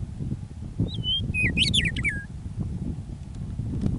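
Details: Meadowlark singing on a prairie near Michichi Dam, Drumheller, Alberta, Canada, on an early spring evening after winter: a bright burst of clear, slurred whistles dropping in pitch, over steady low rumbling background noise.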